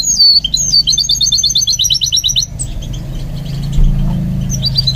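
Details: A goldfinch mule in song training delivers a rapid, even string of high twittering notes for over two seconds, then softer scattered chirps over a low background rumble.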